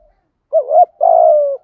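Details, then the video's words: Spotted dove kept as a lure for wild birds, calling in the gáy gọi một hậu pattern; one deep phrase: a quick double-inflected coo leading into a long, steady, slowly dropping hoot. "chim cu gáy mồi thúc gù kích bổi hiệu quả/ tiếng chim cu gáy bài bản gáy gọi một hậu"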